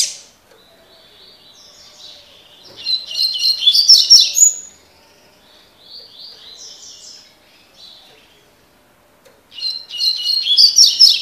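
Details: Double-collared seedeater with a tui tui (tocó) song style: soft twittering, then a loud fast cascade of sharp buzzy chirps, quieter warbling notes, and a second energetic high phrase at the end.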